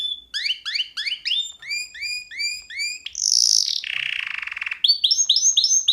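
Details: Canary singing for a song lesson aimed at canaries, not a nightingale: rising scooped notes repeated in pairs, a high buzzy burst, a lower rolling trill, then quick rising chirps.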